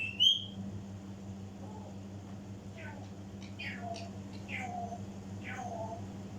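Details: African grey parrot mimicry indoors: a loud high whistle at the start, then a run of soft speech-like syllables and chatter, with low background hum throughout.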